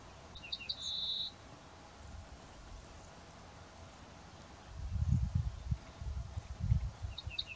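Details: Ortolan bunting singing from walnut trees where several were singing in farmland; a brief phrase of a few high ringing notes ending in a longer held note, starting again seven seconds later, over heavy low wind rumble.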